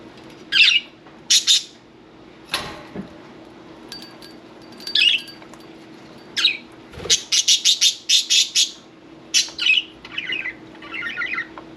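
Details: Happy pet budgerigars, one taking a bath: busy chatter of high chirps and rapid clicking bursts, some in quick runs of four or five notes, a few scratchy warbles, and low thumps near the middle.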